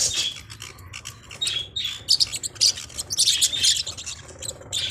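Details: Forpus parrotlets making quieter, scratchy squeaks and thin tweets that rise into louder squawky chirps toward the end.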